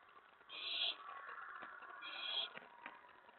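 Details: Owlet calling inside its nest box late on 19 May 2017 as an owl reaches the tray; two breathy, screechy hisses, each under half a second, about one and a half seconds apart, over soft background noise.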